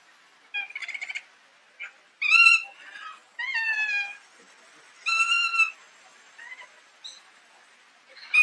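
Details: A kea, recorded close-up, gives loud, shrill wailing calls, each about half a second, some sliding downward like a horse's whinny, with softer chatter between them.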